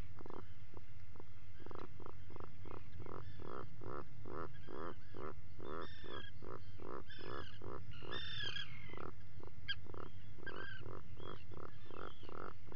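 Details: Burrow-cam recording of Atlantic puffins at breakfast, early morning 28 June 2019: a long steady run of some twenty-five throaty, buzzing pulses about two a second, interrupted midway by shrill squealing calls, over constant low background hum.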